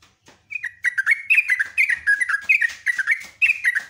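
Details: Sooty-headed bulbul giving a long, busy lure song: after a brief pause, loud bubbly chirped phrases of dropping and rising notes tumble out in quick succession, filling the clip.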